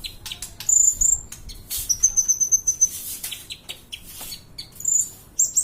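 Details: Sunbird called kolibri ninja singing, recorded as tutor song for other birds; thin high whistles and a long pulsed trill mixed with many sharp, rapid chips and twitters.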